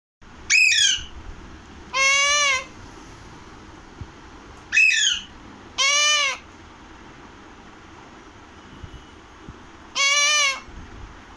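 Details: Pahadi (Alexandrine) parakeet giving loud harsh squawks in pairs: a quick descending harmonic screech followed by a longer arched, nasal call, repeated about every four seconds over quiet background hiss.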